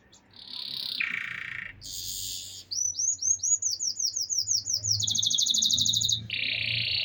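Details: Copper-coloured canary from Nevşehir, Cappadocia, Turkey, singing a varied song: buzzy notes, a fast run of rising whistled slurs, rapid trills and a low buzzy churr, loud and close.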